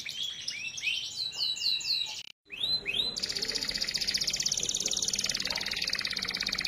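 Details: Canary in 'dor'-style tutor song for stimulating other canaries: bright repeated sweeping whistles and trills for about two seconds, a short gap, more rising notes, then a steady harsh buzzing hiss dominates.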